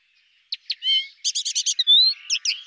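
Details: Soft, pleasant warbling of a common linnet: two sharp chips, a short nasal whistle, then a fast run of five buzzy notes and a clear rising whistle before more twittering.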